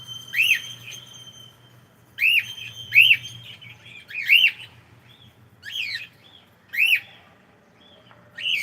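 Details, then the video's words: Cockatiel at home, said to be saying good morning, repeats clear arched whistled chirps, some doubled, every second or so, with a thin steady tone between early calls. "ShonaTheCockatiel saying gud morning"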